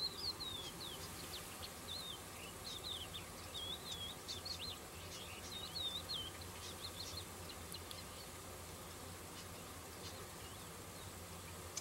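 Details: Cretzschmar's bunting calling with short, high, down-slurred chirps in a loose run during the first half, then quieter, over a constant hissing background.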